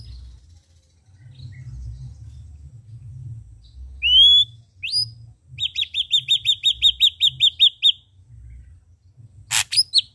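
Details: Red-eyed ashy drongo (srigunting abu-abu, saeran abu) in lively song: two sharply rising whistles, then a rapid rhythmic series of about fourteen identical high chirping notes, ending with a harsh buzzy note and a quick rising whistle, over a faint low rumble.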